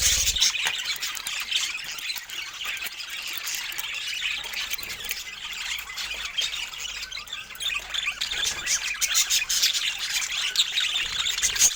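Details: Several pet budgerigars sharing fruit, keeping up a dense, scratchy chatter of squeaks, chirps and short squawks that overlap continuously with no pause.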